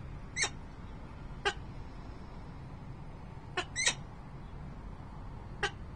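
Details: Peregrine falcon calling at the nest, Harrisburg, Pennsylvania, late November 2020: sparse, sharp, clipped notes with gaps of one to two seconds, one quick pair near the middle, over a constant low rumble.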